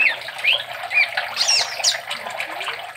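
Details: Brown-chested sunbird from Sumatra, long kept in captivity and moulting yet still singing steadily, used as a tutor for other songbirds; quick high sweeping chirps and twittering slurs, with a faint watery background noise.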